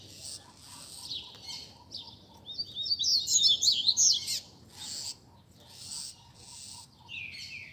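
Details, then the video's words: Group of caged Rusty-collared seedeaters singing together on a Sunday among bird keepers to warm up a competition bird; scattered high notes build to a dense burst of fast twittering, then fade, with a steady faint hum beneath. "BADERNA de Coleiros TOP - Ótimo para esquentar seu Coleiro de Roda!!!"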